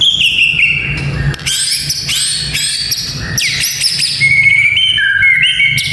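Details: White-rumped shama singing, played to train young fighter males: an opening whistle, a thump, then dense high rattling and chirping phrases, followed by short bouncing whistles stepping between two pitches; faint low hum beneath.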